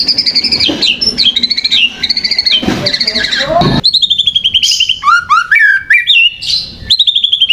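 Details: White-rumped shama lure song meant to provoke other birds: fast varied whistles, trills and sharp rising and falling notes in quick succession, dense and loud, with harsh noisy bursts mixed in.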